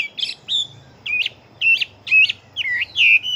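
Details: Caged fighting Chinese hwamei delivering short, loud whistled phrases with rising and falling slurs, about two a second, over a faint low hum.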